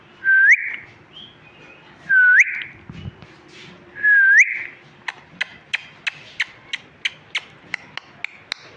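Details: Talking parrot chirping at home: three loud upward-sweeping whistles about two seconds apart, followed by a run of crisp, evenly spaced clicks.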